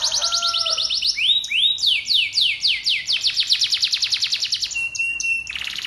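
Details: Continuous canary song used to set off other canaries singing: quick descending high trills, a low warble beneath, rolling swept phrases repeated roughly three times a second, ending on a long even whistle.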